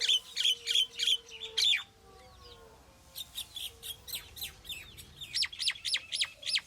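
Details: A Common myna (Acridotheres tristis) in Amman, Jordan, gives loud, sharp, high notes in quick bursts of about three a second, breaking off midway before resuming, with faint low whistles underneath.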